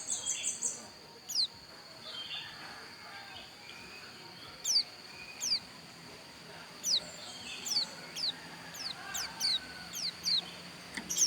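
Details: Javan white-eye, known as pleci dakun, from Pupuan in Bali, giving high, thin, steeply descending whistles in short spaced bursts, with a faint hum and low background noise between phrases.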